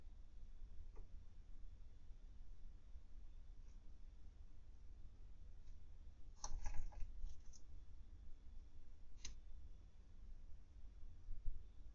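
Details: Quiet low room hum with a few sharp clicks and taps, including a short burst of clicking midway; no animal calls.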